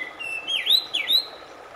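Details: Short Oriental magpie-robin phrase from a relaxation track for a stressed bird: a steady whistle leading into two quick looping swoops that rise and fall, loud and clear.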